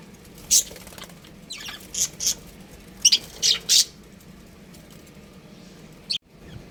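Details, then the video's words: Breeding pair of pet budgerigars at home chirping: short, harsh, high-pitched chirps in scattered bursts, some doubled, with brief gaps and a faint clatter near the end. "Cute Budgies Chirping Sounds"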